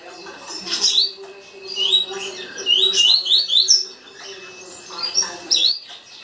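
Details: Green-winged saltator delivering a rapid tuí tuí song: clusters of sharp, slurred whistled notes in quick runs, several phrases in a row, with a low background hum throughout.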